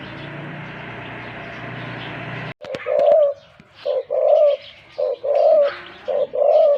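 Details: A wild-caught, deep-voiced professional decoy spotted dove gives deep, hollow coos in short bursts of two or three notes, after a steady background hum. A few faint chirps are heard behind it.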